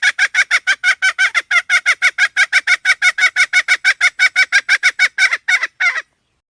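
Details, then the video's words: A long unbroken series of short, honking, nasal notes from a hen, over thirty in six seconds at an even fast pace. The last notes turn harsher and more drawn out before it stops. "suab poj qaib seev dib tuaj zoo heev"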